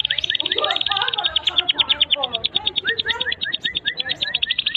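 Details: Canary tutor song for young canaries: a steady fast trill of high repeated notes with lower rising chirps beneath, slightly masked by background noise.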